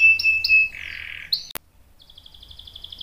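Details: Canary song with short whistled notes and a steady tone, a low buzzy trill, then a sharp click and a thin, faint rapid trill fading in the second half.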